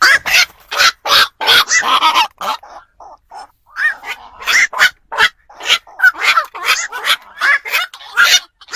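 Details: Black-crowned night herons, sounds used to lure birds for nighttime trapping before Tết: rapid harsh croaks in a dense chorus, a quieter patch of softer calls midway, then loud squawks resume.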